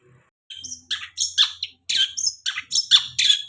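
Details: Long-tailed shrike lure song for a bird that has just finished molting: a brief high note, then a run of loud, sharp, chattering phrases with thin whistled tones, about three bursts per second.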